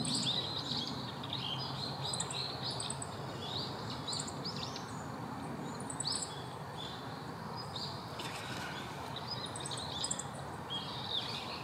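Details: Male Siberian rubythroat giving a varied, high warbling song of short chirps, slurred whistles and brief trills in quick succession, heard over constant broadband background noise.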